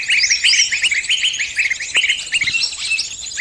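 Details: Trapped bird calling its companions for help: rapid, bright, high chirps in quick, uneven runs, each note a short sharp downward flick, with fainter overlapping twitters above.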